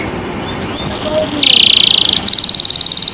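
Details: Canary kept in care, singing a loud song of fast repeated high chirps, shifting between buzzy trills and rapid ticking phrases.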